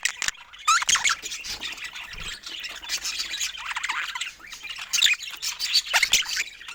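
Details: A few playful pet budgerigars give harsh squawks and quick warbled chirps in uneven bursts, loud at the start and again near the end, with a quieter stretch of chatter between.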